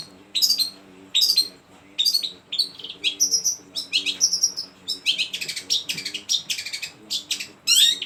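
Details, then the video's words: Shrike delivering a varied, busy song packed with mimicked phrases: sharp chirps, harsh rasping notes and high whistled snippets in quick bursts, with a faint low hum in the background. "burung pentet ngeluarin isian segudang"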